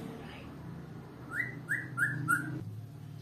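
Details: An African grey parrot gives four quick rising whistles, each sweeping up then leveling, about a third of a second apart, over a low indoor hum.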